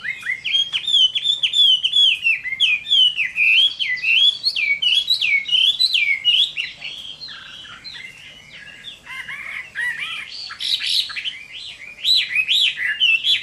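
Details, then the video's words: Chinese hwamei delivering a fighting song on a summer midday: long, loud, looping whistles that swoop up and down in quick succession, a short quieter pause, then renewed high, varied warbling. "HỌA MI CHIẾN HÓT TRƯA HÈ"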